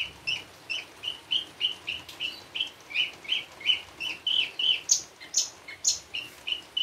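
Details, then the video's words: Javan bush lark in full, rich song, used as a lure for other bush larks: a quick series of clipped mid-high chips, roughly three per second, broken near the end by sharper, higher squeaky notes, over a quiet background. "Branjangan gacor isian mewah, sangat cocok untuk pancingan branjangan bahan parva maupun java."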